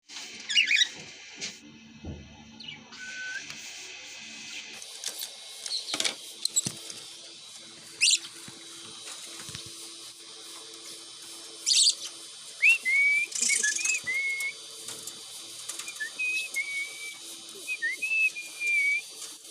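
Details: A pet cockatiel (Nymphicus hollandicus) in Pakistan gives short, high whistled notes mixed with sharp, scratchy chirps.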